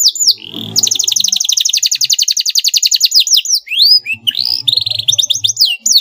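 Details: Canary singing to provoke a rival: a long, fast, evenly pulsed trill lasting several seconds, followed by swooping rising and falling whistles and short rapid notes, with faint low hum in places.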